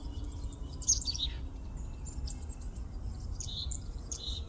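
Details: Carolina chickadee at Lettuce Lake Park, Tampa, Florida, on 31 January 2023, giving high, thin notes followed by short buzzy, slightly lower notes in two brief bursts, over a steady low background rumble.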